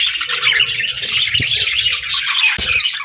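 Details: Budgerigars kept as pets, a dense, continuous chatter of high chirps, squawks and warbling notes overlapping throughout, with faint low thumps beneath.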